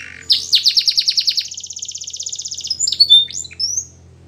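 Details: Belgian canary song used to train young canaries to sing: rapid pulsed trill repeated about four times a second, then a finer faster rattle, ending with bright rising and falling whistled notes.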